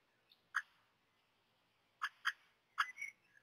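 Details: Common blackbird chicks at the nest during their first feedings, seemingly reluctant to eat, give short, scratchy squeaks, single then in quick pairs, about five bursts in three seconds over a quiet background; recorded 18 May 2018, 13:31.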